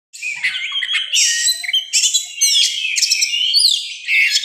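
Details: Oriental magpie-robin in an agitated, fighting mood, a wild-type forest bird singing in the morning: loud, rich, varied whistles and rapid chattering phrases, with rising and falling sweeps and short buzzy bursts delivered almost without pause.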